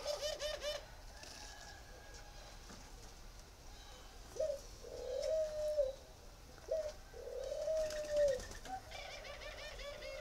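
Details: Spotted dove, northern Vietnamese bird from a breeding farm in Ba Vì, uttering low cooing phrases: a short upturned note followed by a longer level coo, twice, against steady background hiss and faint chirps.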